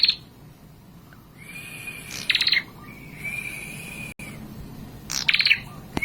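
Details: Prinia song, said to provoke rival birds: short, dense clusters of sharp, high chattering notes near 0, 2.3 and 5.3 seconds, joined by a thin, steady whistle-like tone in between, over a low background hiss.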